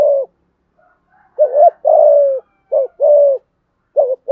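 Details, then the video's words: Spotted dove cooing in the styles called 'giọng thổ' and 'giọng hạp bổi'. Three two-part phrases are heard, each a brief hooked note and then a drawn-out, even, low coo, separated by short silences. "cu gáy thúc gù giọng thổ cực đỉnh giọng hạp bổi"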